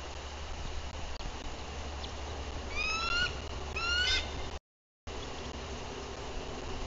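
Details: Alert calls from a female bald eagle at her Bluff City, Tennessee nest, 14 April 2023, watchful and on guard after arriving; two clusters of sharp, upslurred, piping notes in quick succession against constant livecam hiss.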